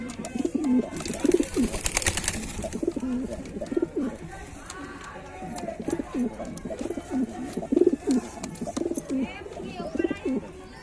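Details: Several white pigeons cooing together in low, rolling phrases, with a burst of rushing noise early on and light clicks throughout.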